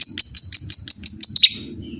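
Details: Many lovebirds calling back and forth in lively song. A rapid run of piercing high chirps, roughly six per second, slows and fades into faint distant twittering.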